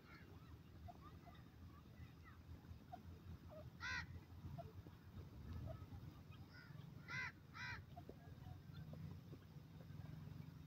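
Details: A Southern Red-legged Partridge (Dakhni Teetar) in forest gives three brief, harsh, nasal calls, one alone and then a quick pair, over a steady low rumble of background noise.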